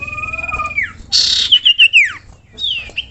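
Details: Sirtu or cipoh (common iora) tutor song: a long steady whistle drops away, followed by a bright buzzy burst, a run of quick falling notes, then a final slurred whistle.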